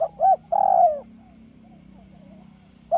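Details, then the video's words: Gentle, clear lure cooing of a village spotted dove: a short hoot and a longer rounded note, then a sustained descending coo. After a quiet pause the next phrase begins. "Dekukur kampung yang gacor || SUARA HALUS DAN JERNIH PEMIKAT ANDALAN"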